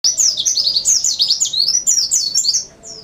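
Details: White-eye singing: a rapid, continuous high-pitched twittering of quick rising and falling chirps that runs almost without a break.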